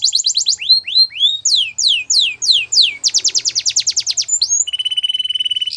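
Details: Belgian canary song for canary training: rising then falling slurred whistles, a fast series of steep descending notes, and a closing flat, high buzzing rattle of very rapid pulses.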